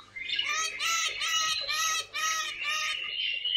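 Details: Caique parrot kept indoors, in a funny moment: about six loud, nasal, harmonic squawks in quick succession, roughly two per second, then a drawn-out whining note.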